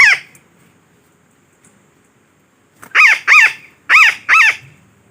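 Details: A lure call for catching parakeets: one squawk at the start, a quiet stretch, then two pairs of loud, coarse, screechy calls.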